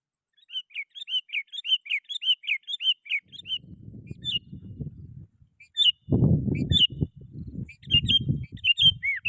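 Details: Sooty-headed bulbul singing to call rivals, used for luring wild birds: a quick string of fluty slurred whistles, followed by scattered notes over low rumbling thumps and handling noise.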